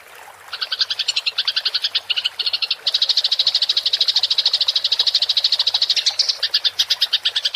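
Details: Fighting Eurasian tree sparrow chattering in a rolling style, recorded clearly as a training track for songbirds: a long, continuous buzzy stream of rapid high chirps, loud and unbroken for several seconds.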